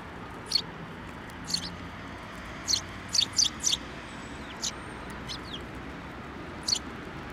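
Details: At a shrine in December, sparrows coming to a bench for food give crisp, separate high chirps, a tight cluster of three around the middle, with long pauses and steady background hum.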